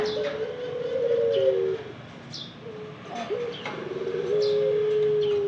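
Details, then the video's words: Ringneck dove cooing: long, low, steady hooting notes, the first slightly wavering and falling, a short note midway, then a sustained coo held to the end, with faint high chirps of other small birds scattered above. "Ringneck Dove Cooing"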